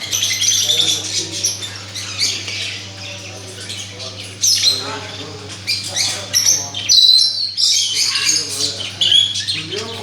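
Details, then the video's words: Parrot giving harsh, high squawks and chattering screeches in irregular bursts, with a steady low electrical hum underneath throughout. "parrot مَٹو ولایتی مِٹو توتا"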